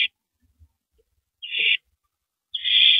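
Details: Before dawn on April 9, 2012, a female owl feeds on a big rabbit; two breathy, raspy screeches, the last drawn out longer, separated by silence and a few soft bumps.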